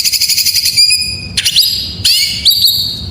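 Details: White-rumped shama song used to get other shamas singing: a rapid pulsed trill at first, then sustained high whistles and upward-flicking notes, separated by brief harsh bursts.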